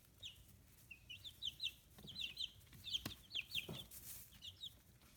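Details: Newly feathering chicks fifteen days old, raised free-range in Kitahiroshima, Japan; clear high peeps arriving in pairs and short groups, building in density midway, with a few soft thumps and low hum beneath.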